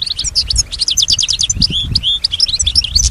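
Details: A European goldfinch kept indoors, credited with mimicking other birds and human sounds, pours out continuous liquid twitters and short buzzy trills at a high pitch. A low rumble sounds faintly underneath.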